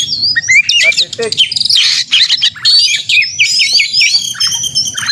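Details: Contest-style white-rumped shama singing to provoke a caged bird: sharp rising whistles, a stuttering rattle, then harsh buzzy bursts and a run of high clear whistled phrases, with faint low hum.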